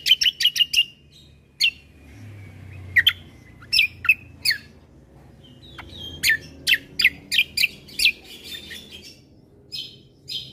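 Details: Bulbul combo song for provoking other birds: quick bursts of sharp chirps, a thin drawn-out whistle, then spaced loud clicks and chirps with gaps of near quiet.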